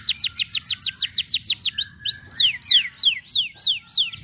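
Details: White canaries singing to stimulate lazy canaries to sing: fast trills of high, sharply descending sweeps repeated several times a second, shifting midway into slower, longer downslurred notes.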